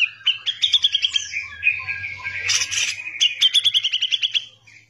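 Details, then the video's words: Grey-cheeked bulbul in lively gacor song, recorded as a tutor track: bursts of fast, sharp, high chirps repeated rapidly, a brief buzzy break midway, then another rattling run of clipped notes, with a faint low hum beneath. "CUCAK JENGGOT GACOR BISA BUAT MASTERAN"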